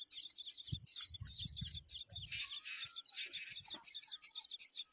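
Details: Myna with her babies at feeding time, a green worm delivered; rapid shrill chirps repeat without pause, sharp and squeaky, over brief low knocks and rustling.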